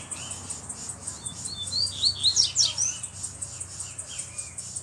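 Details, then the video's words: Double-collared seedeater, a black bird with a bluish-white bill, singing firmly while loose: a quick run of rising and falling high whistles peaking in the middle, with faint rhythmic ticking behind. "Coleiro Preto do Bico Branco Azulado Solto Batendo Firme!!!"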